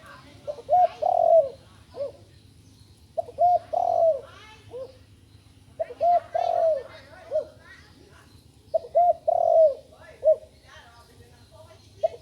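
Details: A young large dove (nok khao yai) only recently learning to call: low hollow coos in short phrases, each group ending in a drawn-out wavering note, repeated about every three seconds, with faint voices in a quiet room.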